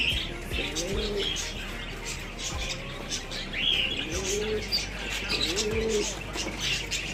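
Pigeons give low, soft arched coos about every one to one and a half seconds, with chirping small birds and steady background hiss behind.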